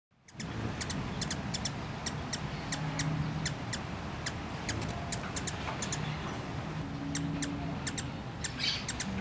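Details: Scintillant hummingbird, a young captive male with an injured wing who cannot fly after hitting a window, gives high, thin ticking chips, about two a second, over a steady low background hum.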